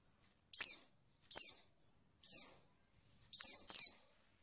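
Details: Five thin, high, downslurred chirps from a female white-eye, used as a lure to provoke males into calling, come at irregular intervals, the last two close together, against a silent background.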